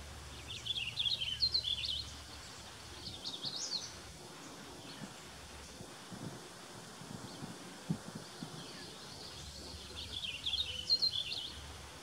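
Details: In mixed forest outside Desbarats, Ontario, a Purple Finch sings from a cedar tree about 15 metres away: quick, rich warbled phrases in short bursts, with pauses of several seconds between them, over a low hum and rustle.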